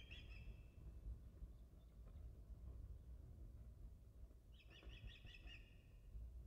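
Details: Osprey calling at the Dyfi nest on 14 July 2013: a brief run of high whistled chirps at the start, a quiet gap, then another quick burst of piping notes, all over strong low wind rumble.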